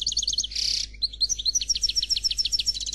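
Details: Close, loud song from a Noir Khalwi European goldfinch: quick tinkling notes, a harsh buzzy burst, then a long even series of clear high chirps repeated several times a second.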